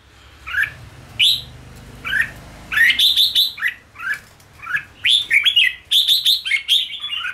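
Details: Training song of a red-whiskered bulbul in ché style, used to prompt birds to sing fast for café singing sessions: scattered single whistled notes at first, then dense rapid runs of bright, slurred, chirpy phrases.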